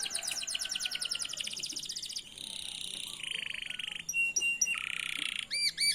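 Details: Canary song used as a lure to teach other canaries to sing: rapid high trills and rattling phrases, then sustained buzzy notes and repeated whistled upswept notes, varied and fast-paced.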